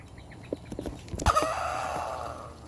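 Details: Rooster wearing a rooster collar crows: after several clicks and knocks comes a muffled, drawn-out crow with a slowly falling tone that fades over about a second.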